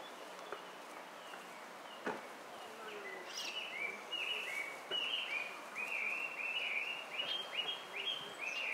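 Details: White-cheeked starling at Gaikotsu-yama, 18 May 2019. About halfway through, a run of short, arched, slightly buzzy notes begins, repeated roughly once a second. Steady outdoor background noise runs throughout, with a few sharp clicks early on.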